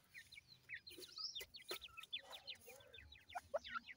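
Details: Several grey francolin chicks, known locally as irani teetar, give sharp, high, descending cheeps in rapid irregular bursts. A few louder clicks cut through, over a faint low background rumble.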